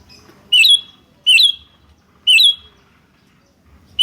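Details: Sooty-headed bulbul giving loud lure calls back and forth, three bright whistled, rising-then-falling phrases spaced about a second apart, with a faint low rumble beneath.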